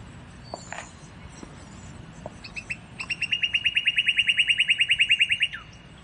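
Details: Northern cardinal song for teaching songbirds: scattered faint chips, then a long rapid series of clear whistled notes on one steady pitch that ends in a downward slur, set against low background noise.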